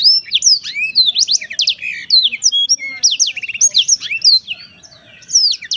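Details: Black-throated canary pouring out a continuous, varied song of rapid high whistled slurs, sharp chips and short buzzy trills, barely pausing throughout.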